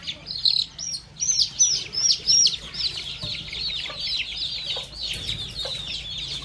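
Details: Baby chicks and young chickens feasting on termites on a farm. Loud, clear, downslurred peeps come in a quick series, then give way to a softer crowd of cheeping.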